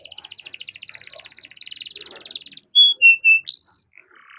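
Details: Canary in vigorous long rolling song, used as a lure for other canaries: a rapid buzzy trill for over two seconds, then three loud clear whistled notes stepping downward and a short upward buzzy flourish.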